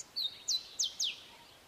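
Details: Short, sharp phrase from a singing male grey sunbird: a high thin whistle and three quick downward-sweeping notes about a quarter second apart, crisp against a quiet hissy background.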